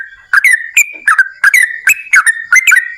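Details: Yellow-vented bulbul singing energetically, played as a lure for other bulbuls: clear bubbly whistled notes, each dropping and then leveling, given in quick pairs and threes with short gaps.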